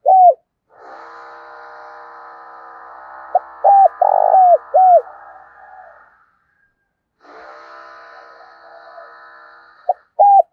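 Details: Decoy spotted dove, thổ đồng voice style, used to make other doves coo: repeated phrases of short and arched coos, one long rough coo among them, over an intermittent humming drone with a silent gap.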